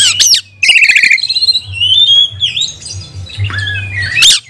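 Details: Oriental magpie-robin singing, played as a lure to rouse and train rival magpie-robins; sharp high notes, a rattling buzzy phrase, then long sliding whistles and a final burst of steep chirps, over a low droning hum.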